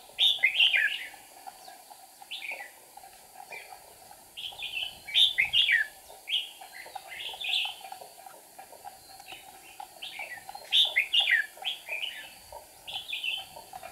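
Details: Red-whiskered bulbul decoy during trapping, 8 April 2019, flicking wings and tail; repeated lively warbled phrases in clusters every couple of seconds, steady faint background hiss.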